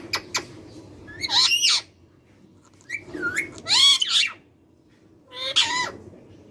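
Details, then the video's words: Rose-ringed parakeet (ringneck) talking, mimicking speech: harsh, warbling vocal bursts with rising and falling whistled tones, three phrases about two seconds apart. "Ringneck talking parrot sound"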